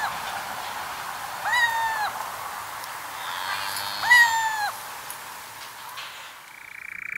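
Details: Little owl crying at night, two plaintive mewing notes roughly two and a half seconds apart, rising then sagging, with constant hiss behind and a faint hum creeping in near the end.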